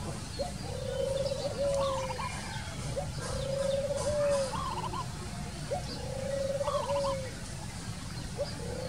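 A Spotted Dove gives soft, level coos, each about a second long with a short lead-in note, every two to three seconds over a steady low rumble.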